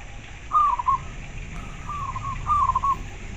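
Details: Zebra dove of local stock giving two short, rippling cooed phrases about two seconds apart, with a fainter phrase between them. There is a steady low background hum.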